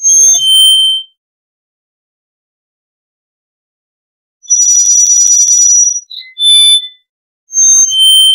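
A black-faced solitaire sings three short phrases of pure, ringing, flute-like whistles with a metallic, bell-like shimmer, separated by pauses of a few seconds.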